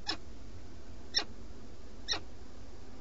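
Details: Peregrine falcon, live nest webcam, Alcalá de Henares near Madrid, Spain, 8 March 2017, male feeding; three separate short, clicky chips about one second apart against a quiet low drone.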